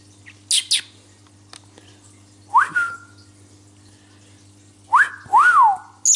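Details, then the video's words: A talking pet lovebird (Agapornis) gives a few sharp high chirps, then clear whistled notes that rise and slide down, spaced a couple of seconds apart, over a low electrical hum. "Talking Lovebird Singing"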